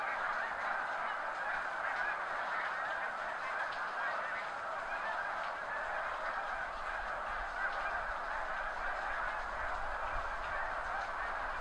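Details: Snow geese in the thousands departing farmland near the seaway during spring high tide, heard from a backyard; a long, unbroken chorus of high honks from the whole flock, with low rumble rising in the second half.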